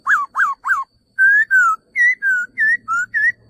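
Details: A male laughingthrush gives three peaked, rise-and-fall whistles, then clear flat whistles alternating slightly in pitch, about three per second, with a faint low hum behind.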